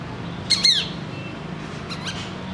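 Black-winged kite giving a pair of harsh, high screechy notes, then two fainter ones a second later, over a steady low hum.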